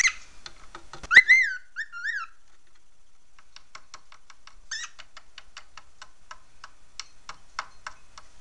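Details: Pet parrot vocalizing and banging its beak: a few quick, warbled, rising-and-falling whistled notes, followed by a long series of light, evenly spaced taps.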